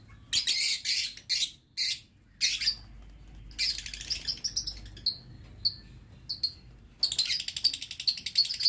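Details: Caged lovebirds in an aviary used for breeding, November 2022, giving harsh, shrill chattering bursts separated by brief pauses, interspersed with thin, sharp chirps, ending in a long burst of rapid buzzy chatter.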